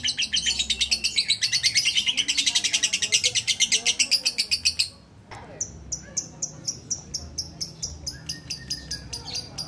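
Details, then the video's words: Lovebird held in a person's arms, performing the ngudang style of singing: a fast, continuous high-pitched chattering trill for about five seconds, then a series of separate sharp chirps repeated at a steady pace. "NGUDANG LOVEBIRD SAMBIL DI GENDONG"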